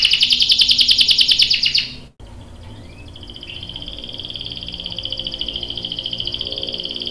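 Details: Canary prompting a male to sing, a female's calling in a long roll: loud rapid trill, a brief break, then a long even rolling trill that slowly swells.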